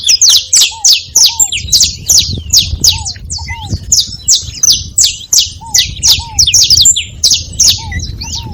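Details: Saffron finches gathered together making noise: a steady stream of high, sharp, overlapping chirps about three per second, with occasional low curved whistles from another bird.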